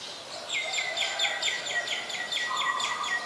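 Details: Streak-eared bulbul, a very common resident recorded at Ubon Ratchathani, Thailand, on 2 January 2021: a quick series of about nine sharp descending chirps, evenly spaced, over steady background noise, with a short lower buzzy note near the end.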